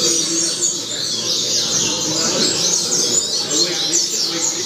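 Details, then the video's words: Double-collared seedeater tutor song used to teach young birds: fast, high, scratchy and twittering phrases running continuously over a steady low murmur. "Coleiro Professor Aprendizado"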